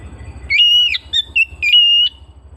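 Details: Clear, ringing whistles from a household Oriental magpie-robin: a long held note, two brief ones, then another sustained whistle, with faint low hum beneath.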